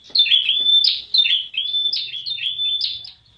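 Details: Prinia, the prenjak wulung, delivering fast runs of high chirps and steady whistled notes in close succession, a lure sound meant to prompt other prinias to call.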